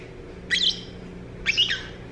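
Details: Pet parrot, said to talk a lot and to vocalize more at bedtime while cuddling up to sleep, giving two sharp high chirps about one second apart, each a quick rising-then-falling squeaky note, over faint room hum.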